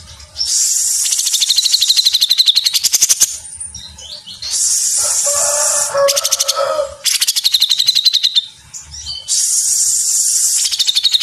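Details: A Grey-cheeked Bulbul (Alophoixus bres) sings loud, harsh, hissing chatters in dense rapid bursts, broken once by a lower, fuller warbled phrase.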